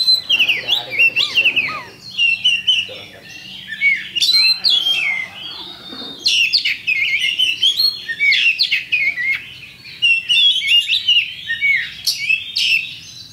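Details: Oriental magpie-robin champion lure song, used so birds start fighting immediately: extended, fast and varied whistling with chattering trills, sharp clicks and upslurred notes in dense repeated bursts.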